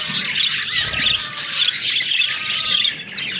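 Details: A steady stream of high, scratchy warbles and chirps from pet budgerigars, overlapping with no clear pause.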